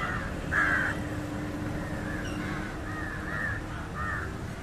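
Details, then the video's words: Indian jungle crow (Corvus culminatus) feeding on fish, with calls said to be harsher than a House Crow's: a run of about six short, hoarse caws, the loudest early on, then softer ones at uneven gaps over a low steady hum. "Indian Jungle crow (Corvus culminatus) Call"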